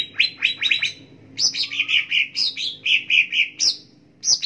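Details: Cucak ijo song used as a training and lure recording: a run of bright chirped notes with sharp upward flicks, then a steady series of clear, slightly falling whistled phrases repeated about every third of a second, with a faint low hum beneath.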